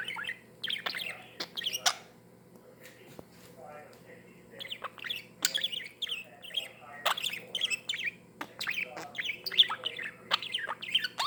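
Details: A happy budgerigar playing with a glass chatters with rapid, scratchy chirps and warbles, broken by sharp clicks.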